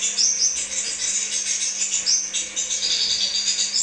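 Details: Crimson sunbird giving a dense, continuous high twittering song of thin, rapid chirps and short upward-sweeping notes. A steady low electrical hum runs beneath, and the song is used as a lure recording for kept birds.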